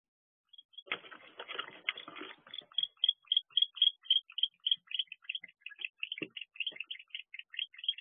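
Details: Male barn owl inside an owl box at 1:19 am on 31 October 2023, calling in agitation as a predator arrives: a crackling burst gives way to a rapid series of short, high, ticking chitters, about four each second.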